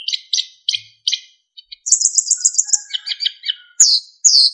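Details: Golden flycatcher, a caged songbird kept in Indonesia, singing a clear, varied master song for training other birds: high chirps and whistles, rapid trilled phrases and descending slurred notes, with short pauses between bursts.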